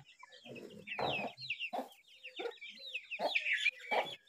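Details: A young Brahminy starling protecting an egg gives squeaky, chattering notes over harsh, raspy bursts about every second, with clucking that may come from poultry nearby.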